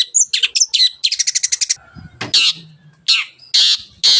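A shrike sings a fast, scratchy medley of high chattering notes, including a quick run of about eight repeated chips, broken by short pauses and harsh bursts.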